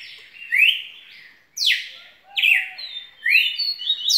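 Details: Red-cowled cardinal singing a song described as having plenty of song and spirit: loud whistled notes sliding between roughly mid and high pitch, some rising, some falling, about one phrase per second, with no other sounds.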